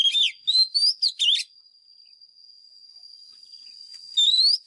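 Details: Oriental magpie-robin, a wild lure bird singing for voice training of caged birds: a quick phrase of rising and dipping clear whistles, then a steady high hum, then another rising whistle.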